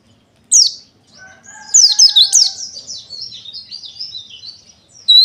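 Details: High, thin chirps from a pleci dakun wilis white-eye, building into a fast twittering phrase of sliding notes, with a faint steady lower tone underneath and a fresh chirp at the end.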